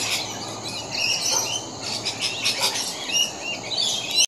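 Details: Several rainbow lorikeets at play, recorded 13 December 2015, keep up a dense, high-pitched squabbling chatter of overlapping shrill screeches and squeaks, with a constant low hum beneath.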